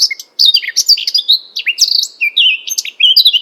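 A Eurasian Blackcap sings a rich, fast warble of clear fluted notes, sliding and looping through a varied phrase with short pauses.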